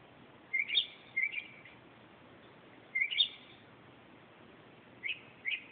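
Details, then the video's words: Night song of a northern mockingbird at 2:30 am, with short chirpy whistled phrases in pairs separated by gaps of about two seconds, high-pitched and clear against a quiet hissing background. "Mockingbird at 2:30 am"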